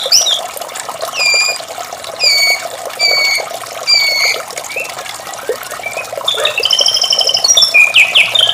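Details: Melodious morning song of a white-rumped shama: clear high whistles spaced about a second apart, then a warbled, rising and falling phrase, set against continuous running-water noise.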